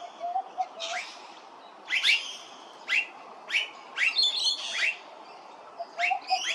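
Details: Immature Blue-faced Honeyeater recorded at Hervey Bay, Queensland, giving loud, sharp, upswept squeaky calls in irregular pairs and clusters, with a soft low cooing from a dove in the background.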